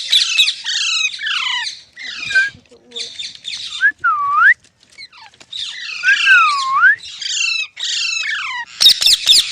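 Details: Green parrot, called tota locally, mixing quick harsh squawks with clear whistled notes that dip and rise in a U shape, ending in a loud screech.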